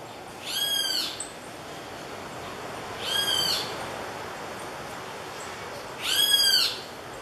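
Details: Great kiskadees mobbing an opossum climbing down a tree in Iriri, Anchieta, Espírito Santo, Brazil, giving loud, harsh, strident alarm calls, each about half a second long, repeated every few seconds.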